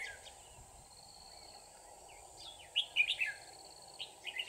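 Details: Red-whiskered bulbul in a trap setting with a stubborn wild bird, recorded 24 December 2018: after a stretch of steady background hiss, a short burst of bright, chirpy warbled notes.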